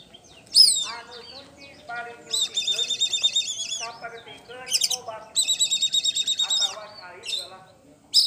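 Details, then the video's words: Oriental magpie-robin, poci variety, a champion ngeplong singer. Two long buzzy, trilled phrases, each about a second and a half, are separated by varied chattering notes and sharp single calls at the start and end. "KACER POCI JUARA NGEPLONG GACOR"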